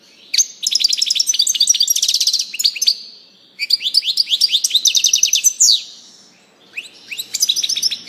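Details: European goldfinch in full song, pouring out rapid, high-pitched tinkling twitters and rattling trills in three long bursts, each several seconds, with a faint hiss underneath.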